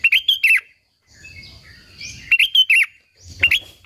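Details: Sooty-headed bulbul in vigorous song, intended to stir other bulbuls to answer. Quick runs of three or four bright, bouncy whistled notes, repeated in bursts at start, middle and end, with faint background chirps.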